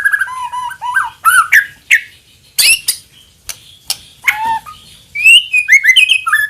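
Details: White-rumped shama lure song full of varied phrases: low whistled notes, harsh chattering bursts, and a run of quick high swooping whistles near the end.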